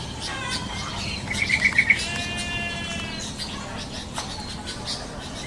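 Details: Yellow-vented bulbul heard in the wild. A single quick run of five bubbling notes, followed by a longer, layered harmonic call from another bird, over a low rumbling background.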